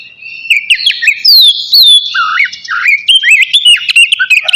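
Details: Oriental magpie-robin of the 'kacer navy' type, singing vigorously just before bathing: a loud, unbroken stream of clear whistles, sweeping slides rising and falling, and scratchy chattering notes, varied phrase after phrase with no other sounds.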